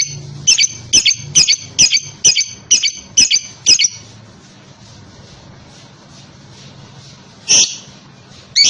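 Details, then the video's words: Lovebird meant to draw replies and long ngekek song from other lovebirds; a quick run of about eight shrill chirps, roughly two per second, then a pause and two more chirps over hiss. "Burung Lovebird manapun akan nyaut dan ngekek panjang setelah dengar ini"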